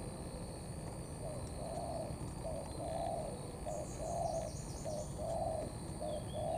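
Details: Young spotted dove singing the "thổ" style blended with "cấn sấm": soft, mellow cooing phrases of a short note and a drawn-out hum, repeated steadily over hissing background, with faint high chirps of other birds.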